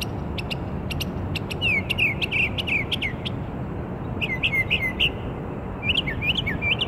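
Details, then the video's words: Northern mockingbird song recorded in Maryland on 27 March 2013: rapid sharp clicks and chips mixed with repeated slurred whistles, phrases repeated in quick bursts, with low rumbling noise underneath. "Mocking bird's song"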